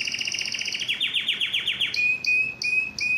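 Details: Singing yellow canary delivering a quick rolling trill, then a series of downward-sweeping notes, followed by short clear whistles repeated about every third of a second.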